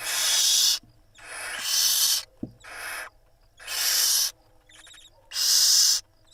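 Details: Barn owl mother preening five chicks at an Israeli nest camera, 26 April 2021; five long, harsh hissing shrieks lasting up to a second each, separated by short pauses, with a brief faint click between them.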